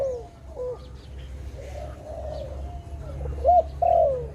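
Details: Dove amid trapping activity, softer warbled coos early then a loud looped note and a falling coo near the end, with faint higher chirps and steady low rumble.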